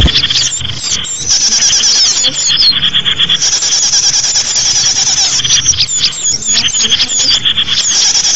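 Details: Small-bird lure sound: many high-pitched squeaky chirps and rapid twittering phrases piled together without pause, busy and shrill from start to end, with a soft low rumble underneath.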